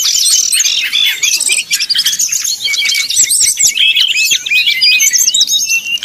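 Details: Brown-chested jungle flycatcher singing in a fluting style, used to provoke rival birds: dense, hurried stream of sharp high whistles and chattering twitters with hardly a pause.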